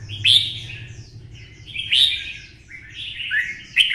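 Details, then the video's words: Red-whiskered bulbul kept as a caged songbird, provoked into fierce competitive singing: short loud warbling phrases repeating about every one and a half seconds, each with a sharp bright onset, over a faint low rumble. "CHÀO MÀO | Giọng xoắn - Kích chim xổ bọng căng lửa hót đấu"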